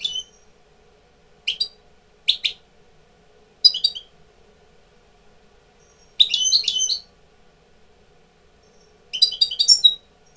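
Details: A tutor European goldfinch coming into breeding condition, kept indoors: short bursts of bright, twittering, high notes spaced by pauses of one to two seconds, with a longer tinkling phrase near the end and faint low hum behind.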